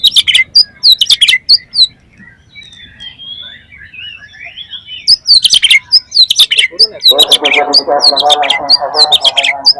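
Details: Oriental magpie-robin belting a continuous lure song to get other magpie-robins singing; quick sharp chirp bursts alternate with softer warbled phrases, and a dense buzzing rattle joins in the last few seconds.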